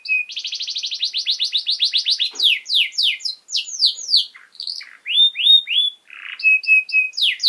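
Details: Canary singing for training young birds: a rapid even trill, then varied sweeping notes, short clear whistles and buzzy phrases in irregular sequence.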